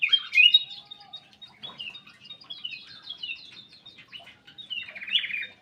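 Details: Black-capped bulbul kept in an aviary, singing busily: a rapid run of high chirps and short twittering notes, opening with a sharp, loud phrase and ending with a buzzier burst.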